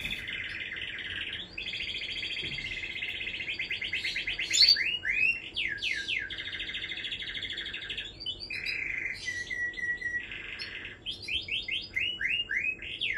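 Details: Long canary song of changing trilled tours: sustained rattling trills, bursts of swooping slurred notes, a lower steady trill, and a closing series of quick downward sweeps.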